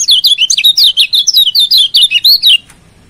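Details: Lombok yellow white-eye master song for training and provoking a rival: a fast, loud stream of high sliding whistled notes, about four per second, running continuously then stopping abruptly, in a quiet room.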